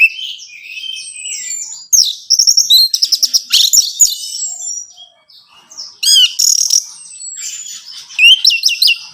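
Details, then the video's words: Orange-headed thrush song meant to stimulate a caged bird: continuous high warbled whistles, a rapid clicking trill run near the start, looping upslurred notes and scratchy chatter. "Merangsang ANIS MERAH Berani Bunyi, Saat Diputarkan Kicauan Ini dalam Beberapa Menit."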